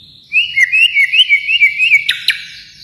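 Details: White-rumped shama from Kalimantan delivering a fast, wavering run of bright whistled notes, followed by two sharp clicks.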